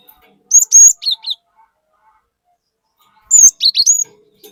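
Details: Cinereous tit in 'gacor' song meant to rouse other birds: two matching phrases about three seconds apart, each a loud high sustained whistle followed by quick descending slurred notes.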